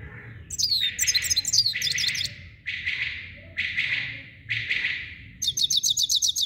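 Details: Song of a Himalayan goldfinch (subulata): a series of lively twittering phrases mixing high tinkling notes with buzzier chatter, repeated roughly every second, ending in a fast run of bright chips.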